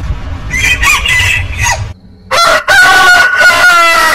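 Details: Rooster crows in two bursts split by a brief silence: a hoarse, broken first call, then a clearer, held harmonic crow.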